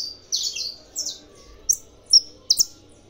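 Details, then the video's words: Captive saffron finch from a breeding aviary, spurred on by played tournament sounds, delivering sparse high notes: a few slurred buzzy phrases, then sharp separated chips, all very high-pitched with pauses between. "canário da terra cantando"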